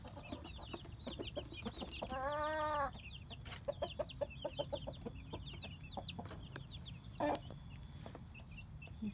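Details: Rooster near Branson, Missouri, not far from Eureka Springs, Arkansas, giving one short, harsh, arching harmonic call of under a second, over steady small-bird chirping and scattered clicks.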